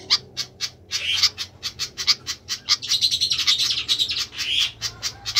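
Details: Flycatcher calling noisily: quick, dry, high ticks run together, with a burst of harsher, rasping chatter in the middle and a steady low hum behind.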